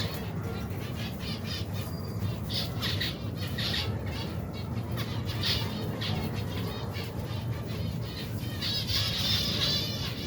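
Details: Colony of more than 120 pairs of finches with their young, feeding during the daily routine; dense high chirps and short squeaky notes overlap continuously, over steady low rumbling and wing flapping.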